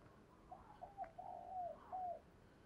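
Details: Spotted dove used as a decoy to attract wild doves, delivering one clear phrase of mellow, slightly rising and falling coos, three or four notes run together, with faint background hiss.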